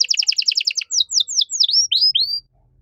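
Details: Canary song of the 'gacor' kind, 'cengkok mewah' phrasing, meant for tutoring songbirds; a fast rattling trill of identical chirps gives way to slower, separate falling and rising whistled slurs, then silence.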